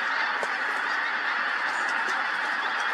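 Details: Pink-footed geese gathered at Montrose Basin as the tide ebbed, shifting position: unbroken massed honking from many birds, a thick steady chorus with occasional brighter individual calls poking above the din.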